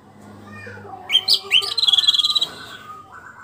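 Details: Caged orange-headed thrush following its moult. It starts with a few sharp whistled notes and then runs into a rapid, even trill of repeated high notes before fading into softer warbling.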